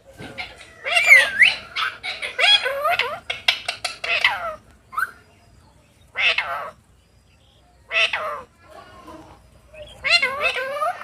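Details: Parrots playing in a field on an autumn afternoon: bursts of harsh, harmonic squawks and chattering calls sweeping between mid and high pitch, in clusters separated by short silences.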